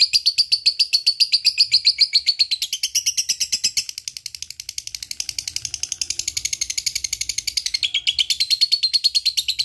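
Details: Lovebird ngekek, a long chattering call played to spur silent lovebirds: nearly ten seconds of rapid, rasping high notes, the pitch wavering down in the middle and rising toward the end.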